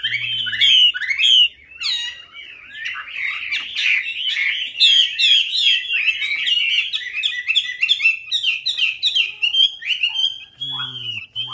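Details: Chinese hwamei in full song as a lure for a hwamei that has gone quiet: loud, rapid, varied whistled phrases and trills tumbling continuously for several seconds, with brief lower hum at start and end.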